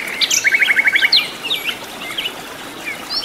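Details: Wild sikatan londo flycatcher, singing energetically in native habitat: a rapid ladder of about eight clipped repeated notes, followed by assorted high slurred chirps and twitters over light background hiss.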